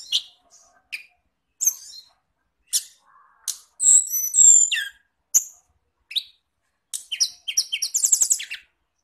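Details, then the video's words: Indonesian lure song for caged-bird training, from birds named as kacer, cendet, murai and tledekan: scattered sharp high chips, one loud buzzy phrase in the middle, and a rapid stuttering trill near the end. "masteran pancingan burung kacer cendet murai tldekan"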